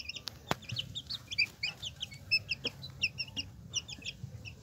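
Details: A hen and her chicks: dense, rapid high peeps about one and a half per second, mostly short down-slurred notes in pairs, over a low background rumble and a few sharp taps.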